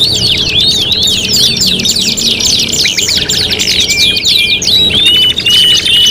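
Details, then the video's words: Canary song compiled as five-in-one tutoring material for competition birds: dense, overlapping high trills and rapid rolling chirps, with bright sweeping whistles and sustained tonal notes later on. "MASTERAN KENARI MATERI GANTANGAN LOMBA 5 IN 1 | CANARY SINGING"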